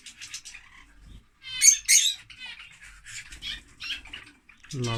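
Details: Lovebirds give scattered rapid ticking chatter and two loud, grating squawks in the middle, with quieter high twitters between; a human voice begins at the very end.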